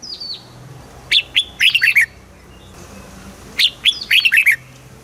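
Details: Caged Red-whiskered Bulbul from Thailand singing southern master-style phrases, played to excite other birds and teach young ones: two bright warbled bursts of about six quick slurred notes, roughly two and a half seconds apart, over a faint low hum.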